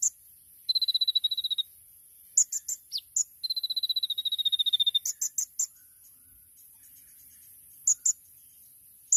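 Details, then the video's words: Olive-backed sunbird (kolibri ninja), a champion bird, giving 'tembakan' masteran song: a thin high rapid trill, a sharp swooping note, a second longer trill, then scattered high chirps with quiet gaps. "MASTERAN KONIN TEMBAKAN MEWAH | SUARA BURUNG KOLIBRI NINJA JUARA"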